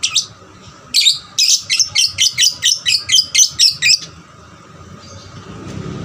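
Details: Young lovebird in diligent song, played to provoke other lovebirds to sing more; a rapid run of about eleven sharp, high chirps, roughly four per second, then quiet room hum.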